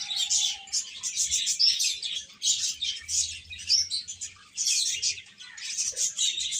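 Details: Many chicken chicks chirping together in a dense, continuous chorus of high, shrill peeps that overlap and rise and fall in loudness, with a faint low hum underneath.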